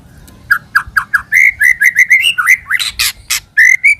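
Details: White-rumped shama singing as a lure call, a quick series of short whistled slurred notes, rising and falling, delivered about four per second with a few harsh broadband bursts mixed in.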